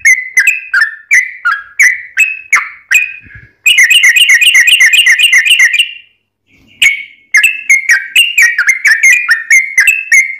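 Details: Yellow-vented bulbul lure song featuring a long trill: swooping whistled phrases, then a fast, even rattling trill of about two seconds, a short gap, and a hurried stream of chirpy whistles.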